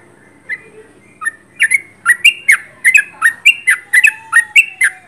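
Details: Sooty-headed bulbul singing at close range, a rapid series of short bubbly notes around two to three per second, rising and falling, with sharp clicky overtones; no other sounds.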